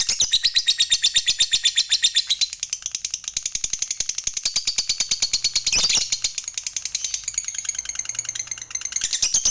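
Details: Lovebird fighter giving a long 'ngekek' chattering song meant to spur other lovebirds to sing: a steady stream of rapid, high, harsh notes throughout, with a brief louder burst midway.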